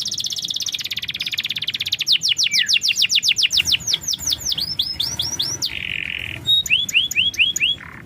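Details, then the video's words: Lure recording of canary song to coax a lazy bird into singing: an opening buzzy trill, then sharp descending whistled strokes, a short harsh buzz, and a final run of curving downslurred notes. "Masteran burung KENARI||Pancingan kenari malas bunyi"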